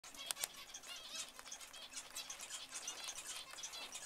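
Zebra finches give soft, high chirps and clicks, roughly once a second, with faint fluttering wings throughout.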